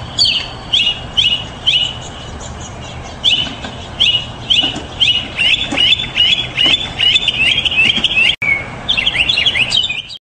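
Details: Mockingbird singing a string of quick chirpy, slurred notes, several repeated in close series, then a rapid run of jumbled twittering phrases near the end.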